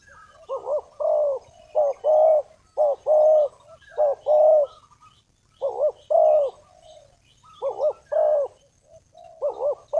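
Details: Decoy spotted dove calling to draw in wild doves for trapping: low, mellow cooing in steady pairs, a quick doubled note followed by a longer, level coo, repeated throughout with brief pauses and faint thin whistles above.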